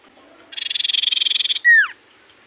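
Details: Common iora singing in full voice, a song said to draw replies from other ioras: a rattling buzzy trill of rapid even pulses lasting about a second, followed at once by one loud clear whistle slurring downward.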